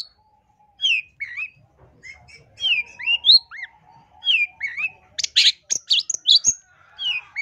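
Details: Long-tailed shrike song on a masteran training and lure recording: clear downslurred and upswept whistles in a relaxed series, then a burst of loud, harsh, high chatter near the end.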